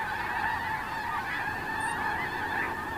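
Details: Snow geese at Terranova on Monday 9 October 2017, a large flock giving dense, continuous overlapping honks that merge into a steady nasal chorus, with no pauses.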